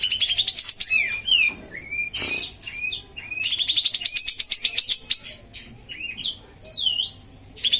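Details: Loud, busy Common iora song used as a training and lure recording for birds slow to sing: fast repeated trilled series, sharp down-slurred whistles and chirps, broken by a brief noisy rasp.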